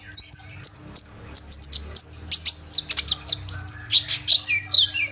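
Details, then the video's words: Kolibri ninja sunbird in full song with mixed 'isian' phrases, captured on an Oppo A37f phone: high thin whistles and downslurs followed by a rapid jumble of sharp chips and short descending notes. "BURUNG KOLIBRI NINJA GACOR FULL TEMBAKAN ISIAN ROLL TEMBAK"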